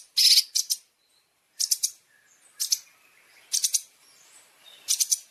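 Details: Long-tailed shrike (cendet) tutor recording with champion fill phrases for training caged birds: short, bright chirp clusters in bursts of two or three, separated by pauses of about a second, over a quiet background.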